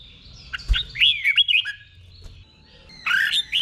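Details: Red-whiskered bulbul, caged in Thailand, singing a slow, clear doubled 'beon' song for birds to copy. A short run of wavering whistled notes, a quiet gap, then a second brief warbled phrase; faint low knock early on.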